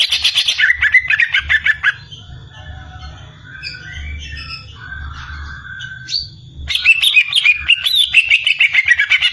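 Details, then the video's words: Greater green leafbird (cucak ijo) song: a burst of fast, warbling, rapidly pulsed notes, a quiet gap with faint scattered chirps, then another long run of varied, trilling phrases. "burung cucak ijo"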